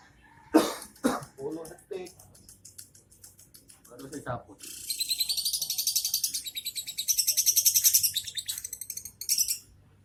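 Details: Young lovebird giving ngekek song with tight, short pauses: after several seconds of human talk, a long, rapid, high chattering trill runs continuously to the end, with only a few brief breaks.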